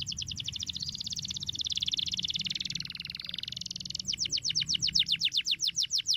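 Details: Canary singing to coax young canaries into full song: a rapid buzzy rattle that drops slightly in pitch, then breaks into slower, sharp downslurred chirps repeated about five times a second.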